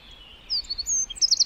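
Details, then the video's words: Wren in a forest: a brief series of thin, high chirps and short trills, rising toward the end, with a quiet background. "1 Hour Of A Bird (Wren) Chirping In The Forest"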